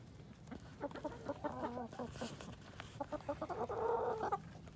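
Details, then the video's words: Chickens on an urban farm in Colorado Springs while some peck at a pumpkin: quiet bursts of rapid, nasal clucking in short runs, ending in a longer quavering squawk, with steady low background noise. "Chickens Making Chicken Noises"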